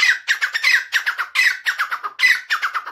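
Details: Grey francolin, or teetar, in a loud rhythmic calling bout: harsh, ringing notes in quick grouped phrases that repeat steadily with no pauses.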